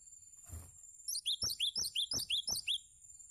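Cinereous tit giving a quick run of bright, high, sharply descending chirps, about eight notes in a second and a half, over a thin steady high hiss and a few soft thumps.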